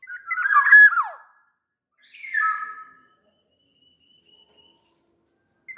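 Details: Sumbawa black-naped oriole, described as big-bodied, singing a loud fluty phrase ending in a steep falling slur, followed by a softer descending whistle and a faint thin high note.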